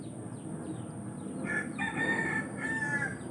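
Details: Village rooster crowing at a distance, the drawn-out harmonic crow rising out of steady low background noise in the second half, with faint chirps from small birds earlier.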